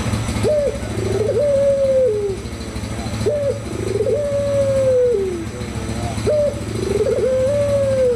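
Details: Barbary dove giving a lure coo to get others cooing. Three phrases, each a sharp rising note then a drawn-out steady coo dropping at the end, over a constant low engine-like hum.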